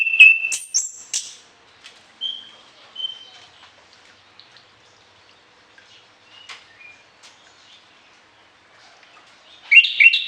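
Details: Vigorous song of an orange-headed thrush with varied fill-in phrases, played for tutoring other birds morning and evening: a burst of piercing high whistles and squeaks, scattered soft notes and pauses, then a dense chattering phrase at the end.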